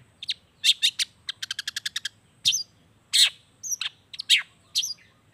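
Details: Lively long-tailed shrike song stuffed with natural-bird mimicry, used to make unwilling shrikes join in; a fast run of about eight evenly spaced ticking notes sits among varied chirps, scratchy bursts and curling whistles.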